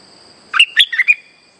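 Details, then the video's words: Streak-eared bulbul lure song for trapping, a short phrase of four bubbly, chirping notes jumping between mid and high pitches, over a steady faint high electronic tone. "Suara pikat merbah lekir gacor"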